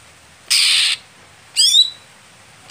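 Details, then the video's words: Greater green leafbird, a competition bird that is late to perform. A harsh hissing burst is followed by a bright, descending chirp ending in a drawn-out whistled tone, then the start of another note. "Setting Khusus Cucak Hijau Saat Lomba Lamban Panas / Telat Kerja"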